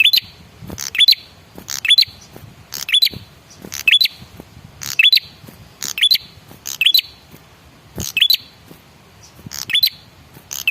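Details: Male prenjak kepala merah (red-headed prinia) calling as a lure for other birds: rapid paired chirps, each a hiss followed by a thin upward-sweeping note, repeated about once per second.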